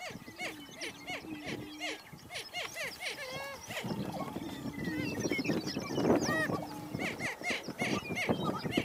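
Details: Greater prairie-chickens on a lek in April: two banded males confront at a territorial boundary with a female present, giving low hollow hooting moans, rapid rising whoops and much cackling, several birds overlapping.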